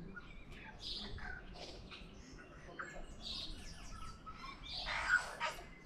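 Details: Tui singing in Auckland, New Zealand, mixing brief pure whistles with rasping squawks and clicky, wheezing bursts in a quick, uneven sequence that grows louder toward the end.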